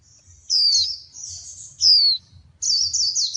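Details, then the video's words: White-eye, female prompting male song: loud, high-pitched downslurred whistles alternating with quick buzzy twittering phrases, separated by short gaps, over soft low background hum. "Tiếng chim khuyên mái kích trống hót, kích lửa !!!"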